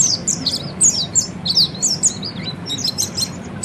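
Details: Oriental white-eye song used as training song for cage birds: rapid high thin twittering notes in quick bursts, slurred chirps tumbling over one another, with a steady low background hum.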